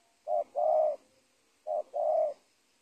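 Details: Spotted dove by a teak plantation edge beside an old corn field, two matching coo phrases: a short clipped note then a fuller, longer low coo, the pair repeated after about a second, with no other sounds.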